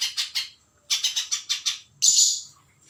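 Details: Spiderhunter singing in short bursts of sharp, high chipping notes, three quick notes, a pause, then a run of six evenly spaced notes, ending in a longer, harsher squeaky note.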